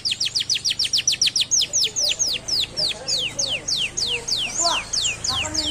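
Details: Canary song, offered as a strong lure to get lazy canaries chirping: a fast train of steeply falling whistled notes, about three or four per second, slowing slightly and becoming louder notes toward the end, with faint low background hum.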